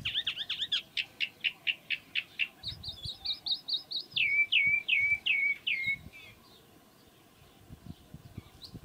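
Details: Chalk-browed mockingbird song: a fast series of repeated sharp notes, then higher chips and a run of descending slurred whistles, ending in quiet with faint background noise.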